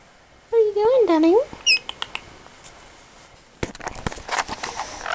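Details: Pet lorikeet indoors, rambling in silly talk-like sounds: a loud wavering, voice-like warble that bends up and down in pitch, then a few short high squeaks, followed by scratchy rustling and tapping noises.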